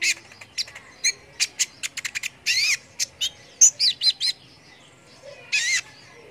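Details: Brown-throated sunbird (konin), gacor song used to tutor competition songbirds: scattered sharp high chips, a quick series of clicks, rising-falling whistled slurs near the middle, and a final buzzy burst after a short pause.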